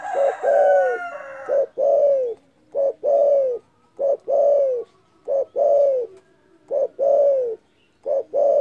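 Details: Spotted dove in full voice, a loud call that provokes rival birds: repeated pairs of deep, hollow coos, a short note then a long slurred one, steadily about every second and a half.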